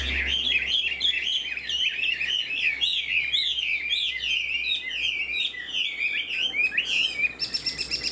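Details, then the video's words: Chinese Hwamei, caged, fanned tail, fresh feathers, tail-flicking as it sings in laughingthrush style: rapid, dense warbling of bright whistled notes, tumbling phrases strung together without pause, ending in a buzzy rattle. "Chim họa mi đuôi xòe, hót vẩy đuôi khướu cực đẹp, lông mới tinh"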